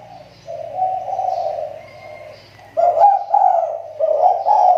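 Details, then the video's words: Caged kepri-type spotted dove kept as a lure bird, its voice recovering after a recent drop: a soft hum, then rough, rolling mid-pitched coos that grow louder and repeat in quick succession, with a faint low hum underneath. "SUARA TEKUKUR PIKAT"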